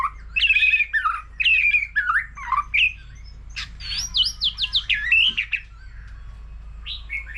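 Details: White-rumped shama, an old wild-caught bird, delivering varied song with a laughingthrush. Quick whistled phrases with sharp up-and-down slurs come in bursts, followed by a tumbling run of high chirps and a few short notes. A low hum runs underneath.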